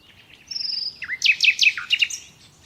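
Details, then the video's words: A common nightingale's song phrase: a long high whistle, then a rapid run of sharp, piping downslurred notes, with a faint background hum. "Doğal Bülbül Sesi Dinle"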